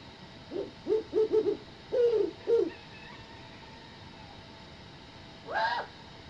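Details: A Great Horned Owl, apparently Victor, gives a quick run of four short, soft hoots, two longer hoots, then a harsher, higher rising note; this odd sequence gradually segued into his normal hoots.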